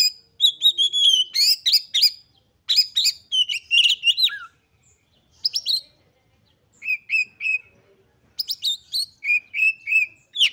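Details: Oriental magpie-robin singing with high excitement to prompt other magpie-robins to sing: rapid bursts of chattering and whistled notes, then a series of steady, clear repeated whistles, with short silent gaps between phrases.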